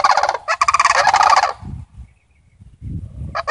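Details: Sandhill crane family visiting: a vigorous run of rolling, trumpeting rattles for about one and a half seconds, then low thumping sounds, and a new call just beginning.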